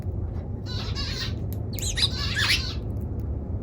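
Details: Eurasian tree sparrow calling: a short chirpy burst followed by several rapid, twisting squeaky notes, set against a constant low-pitched background hum.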